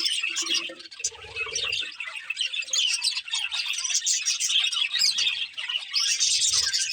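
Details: Continuous bright chirping and buzzy warbling from a budgerigar breeding pair, with a short low hum and thumps early on and again near the end.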